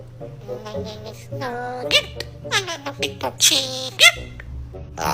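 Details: Hill myna imitating human voices with striking clarity, speaking short phrases like "Hi. What are you doing?" in a nasal, harmonic voice with sharp upward slides, over soft background music.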